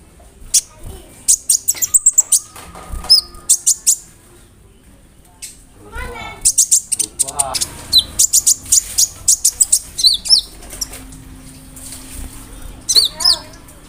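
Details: Konin, a kept songbird, in full song laced with imitations of cricket, brem, kamade and rambatan, used as a tutor for other songbirds; bursts of sharp high chirps, trills and rattling phrases alternate with short pauses.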